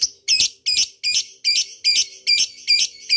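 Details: Rival-calling lovebird lure in ngekek style: harsh, buzzy high bursts, each about a quarter second long, delivered very regularly around two and a half times per second.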